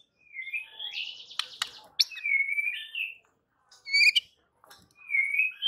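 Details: Quieter white-rumped shama lure song for provoking rival birds: drawn-out buzzy and whistled phrases broken by sharp clicks, with a soft rising whistle to close.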